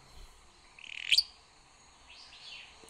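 A Willow Flycatcher gives a quick, buzzy, sneezing burst, then a fainter slurred note about a second later, all high-pitched over quiet background hiss.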